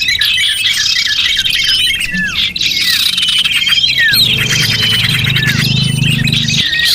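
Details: Lure sound meant to draw in small birds: many birds chirp and whistle together, with rapid high notes, curving slurred whistles and a steady trilled line, plus a low hum in the second half.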